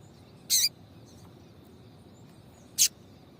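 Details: Piado of a female papa-capim, a call used to get males singing: two brief, high, dry chips spaced about two seconds apart over a steady faint hiss.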